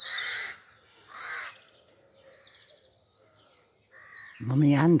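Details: A rook in a small spinney woodland in Pulford, Chester, during the spring dawn chorus just before 6am on 27 April 2024: two harsh, hoarse caws about a second apart, then faint thin whistles and chirps of other birds and a man's voice.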